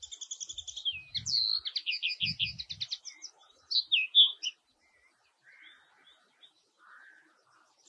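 A common linnet gives quick, high twittering notes, a rapid stuttering run followed by buzzy trills and chirps, then fainter calls as it trails off.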